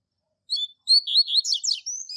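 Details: Double-collared seedeater, a tutor bird singing the classic Tui Tui Zel Zel style used to train young birds; high whistled notes after a short pause, then a rapid run of buzzy, slurred and trilled phrases, quiet setting.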